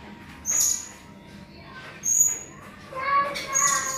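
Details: Blue-crowned hanging parrot, recorded as a tutor for contest birds: thin, piercing high squeaks about every one and a half seconds, with quieter twittering in between.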